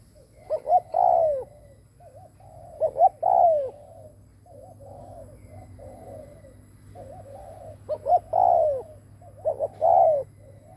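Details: Captive decoy spotted dove cooing to lure other doves: three phrases, each two quick short notes then a long, drawn-out descending coo, with soft wavering murmured notes between phrases.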